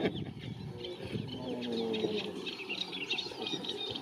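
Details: Eurasian reed warbler at Lake Neusiedl, Neusiedler See–Seewinkel National Park, on 20 April 2018, giving a steady, scratchy chatter of short repeated notes, with a low murmuring, voice-like sound underneath.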